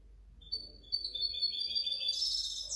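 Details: European goldfinch hybrid, a kept bird labelled 2019–2020, starting with thin sustained whistled notes that build into a dense, bright twittering burst near the end; a low background hum is present.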